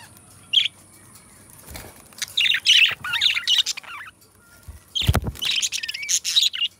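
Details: Two pet budgerigars singing and talking together: bursts of rapid, chattering warble and squeaky chirps. Loud thumps or clicks near two seconds and five seconds.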